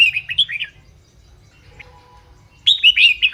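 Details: Caged red-whiskered bulbul song used to excite other caged bulbuls: short bursts of bubbly, warbled notes, a phrase of about four quick syllables, a pause with a faint soft whistle, then another lively burst.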